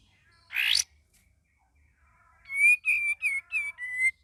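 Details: Sooty-headed bulbul, a young bird still learning its song, gives one brief rising burst, then after a pause five clear whistled notes in quick succession, mostly level or slightly falling.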